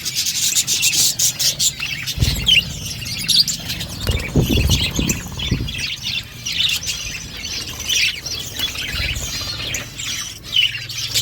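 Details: Flock of budgerigars in an outdoor aviary giving busy, squeaky warbling and short chirps, with some low rustling thuds in the middle.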